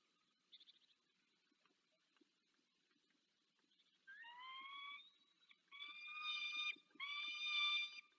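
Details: Calling female peregrine falcon at Dolina Baryczy, Poland, 18 March 2024, addressing her mate: near-silence with faint ticks, then a rising hoarse wail followed by two louder, harsher drawn-out cries.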